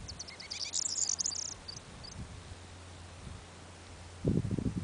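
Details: Corn bunting singing on North Uist: a thin, high "jangling keys" song of quick stuttering notes that speeds into a shimmering rattle, lasting about a second and a half, with wind rumble afterward.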